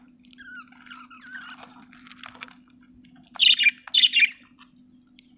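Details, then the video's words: An Australian budgerigar chirping: soft whistled warbles at first, then two loud harsh chirps close together, over a steady low hum. "Australian beautiful birds sound 😍 budgie chirping sound"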